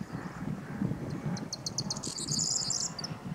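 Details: Corn bunting singing its short, often repeated motif with a rustling, crackling sound: a run of separate ticks speeding up into a high jangling, fizzy trill. Low rumbling wind or traffic noise runs underneath.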